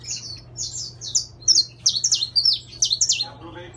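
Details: Saffron finch, intense yellow, singing a lively series of high, sharply down-slurred chirps, roughly one per second at first and then faster, over a quiet low hum.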